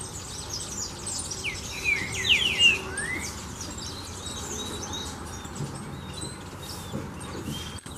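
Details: Green-winged saltator singing the song style called "Sou Terrível": a few loud, slurred whistled notes sliding downward, clustered near the middle, over a background of many thin, high chirps from other birds and a steady low hum.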